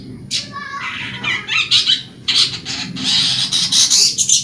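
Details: Long-tailed shrike singing steadily, used as a lure to prompt caged shrikes that have stopped singing. Harsh, scratchy squawks and rasping chatter run almost unbroken, with a few rising whistled strokes early on and a dense burst near the end.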